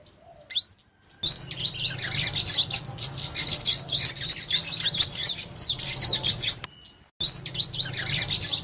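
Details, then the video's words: Purple-throated sunbird song: a long, busy stream of thin, high, slurred chirps and quick downward-sweeping notes, broken by two short pauses, with a faint low hum beneath. "Tiếng Chim Hút Mật 5 Màu"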